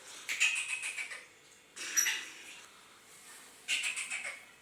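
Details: Three bursts of rapid, scratchy high-pitched pulsed notes from a grey francolin (teetar), each lasting about a second, with quiet pauses between.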